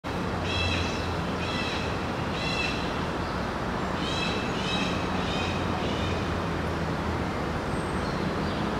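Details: A yellow-crested cockatoo (Cacatua sulphurea) in Hong Kong Park, Central Hong Kong, gives harsh, raspy screeches in two bursts of about three calls each, nearly one per second, over steady traffic rumble.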